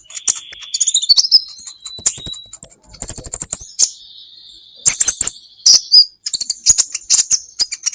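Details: Training recording of olive-backed sunbird (kolibri ninja) song for caged birds in Indonesia: a long thin whistle held near level, a quick run of rattling ticks, another sustained whistle, then rapid high chirps and squeaky notes.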